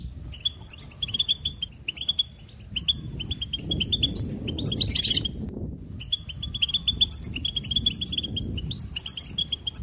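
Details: Long stretch of goldfinch song, steady streams of sharp high chirps and trills, a brief loud tangled flourish midway, with faint low background rumble.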